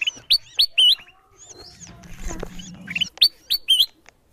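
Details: Bulbul lure sound for calling wild birds, with separate loud, sharp, upslurred chirps at the start and end, broken by a stretch of rustling, low noise in the middle.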